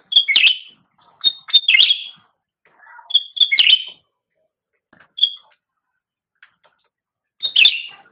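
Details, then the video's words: Master recording of cucak rante for training pet songbirds: repeated bursts of bright piping and chattering warble, single high notes in the gaps, and a final loud phrase. "Suara Burung Cucak Rante | Gacor"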